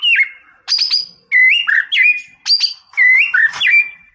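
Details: White-rumped shama in energetic "Boomerang" song meant to rile a rival: loud clear whistled phrases, each a sharp high downstroke followed by a wavering or rising whistle, about every half second.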